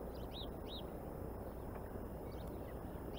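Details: Bald eagle eaglet at a nest in Decorah, active and spunky on a sunny morning: faint high arched chirps in short pairs over steady low rumbling background noise.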